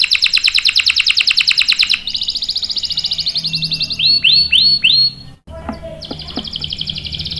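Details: Canary song used as master material for young or stalled males: rapid repeated notes, a quieter trill, four looping upswept whistles, a short break, then a faint high roll.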